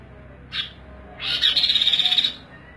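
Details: Bird called kaso-kaso, kidangan or tepus glagah, recorded as a master song for training: one brief sharp note, then a fast, even trill of about a dozen pulses lasting roughly one second.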